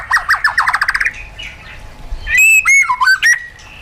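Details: White-rumped shama kept in a cage for wild-style song training: a fast rising trill of repeated notes, a pause, then clear ringing whistles and a slurred loop.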